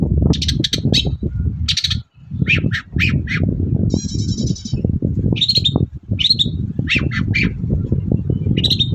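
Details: Energetic morning song of a long-tailed shrike, a lure to make others reply: harsh rasping notes, a short buzzy rattling trill, and slurred whistles, over a steady low background drone.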